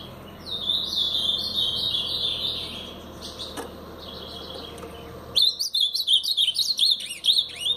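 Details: Ultramarine grosbeak, Paraná pardo song style: a softer run of chattering whistled notes for a few seconds, a pause, then a loud, fast burst of sliding whistles, each note dipping and rising, for about two and a half seconds.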